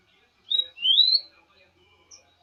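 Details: Rufous-collared sparrow singing a brief phrase: a short high whistled note, then a longer clear whistle sliding upward, with faint background hiss afterward.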